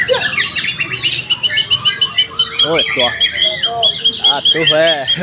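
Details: Young caged white-rumped shama from Indonesia delivering rapid repeated high chips, about two per second, mixed with sweeping whistles and short buzzy phrases; human voices murmur in the background.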